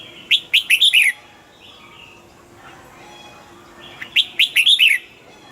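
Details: Caged red-whiskered bulbul singing two short bursts of four or five quick, liquid warbled notes, spaced about three seconds apart, with faint background hiss between phrases.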